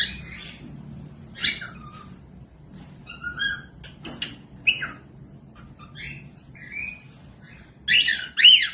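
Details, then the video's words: Cockatiel song used as a tutor recording for lazy-singing or young birds to copy: scattered short chirps and whistled slurs, one sharp click midway, ending in two loud harsh whistled bursts. "Cocok buat pemasteran falk yang malas bunyi langsung nyaut pemasteran cockatiels"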